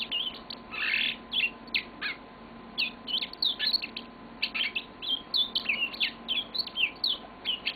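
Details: Yellow-fronted canary kept as a pet delivering a long, continuous song of rapid chirps, trills and sweeping whistled notes, dense and bright, barely pausing across the whole stretch; low steady hum underneath.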